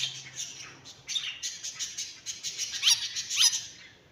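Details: Myna producing rapid high chattering and squeaky notes, roughly two per second, with a couple of sharp sliding squeals near the end over a low hum.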